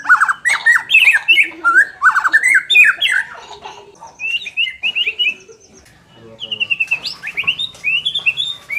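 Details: White-rumped shama song meant to raise a hesitant bird's competitiveness: dense, quick, varied whistles and chatters, quieter scattered notes midway, then another fast burst of sliding whistled notes.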